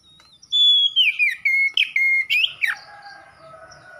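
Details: A magpie-robin gives a loud ringing whistled song of long descending slurs and short sharp notes in quick sequence, ending in a downward sweep, then fainter lower warbling underneath.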